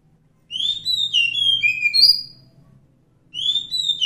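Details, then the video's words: Wild Oriental magpie-robin (kacer hutan) song: a bright two-second run of whistled slurs with a sharp high note near its end, then a pause before the next phrase begins; soft low hum behind. "suara asli kacer hutan"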